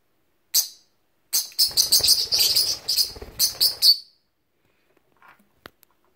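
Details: A rosy-faced lovebird (named as a parakeet), wary of a towel-chick toy, gives a burst of shrill, rasping squawks, about a dozen in quick uneven succession over three seconds, then falls quiet apart from a few faint clicks.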